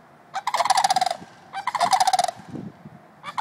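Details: Two adult sandhill cranes at White Bear Lake, Minnesota, give loud, rattling, rolling bugles in two bursts of about a second each, separated by a pause, with a third starting at the end.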